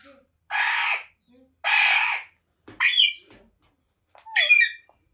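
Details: Dancing pet Ringneck parrot giving two long hoarse rasping shrieks, then two shorter harmonic squawks with sharp upward and downward bends.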